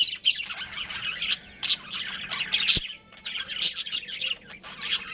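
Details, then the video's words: Pet budgies, a breeding pair, trading scratchy high chirps and warbling squawks in an uneven stream, with a sharp click partway through. "Adorable Budgies Chirping Sounds"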